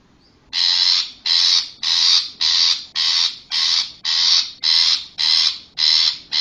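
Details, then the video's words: Wild long-tailed shrike recorded in nature, giving a steady series of harsh, rasping, scolding notes, about eleven in six seconds, each roughly half a second long and evenly spaced. "SUARA CENDET ASLI ALAM GACOR"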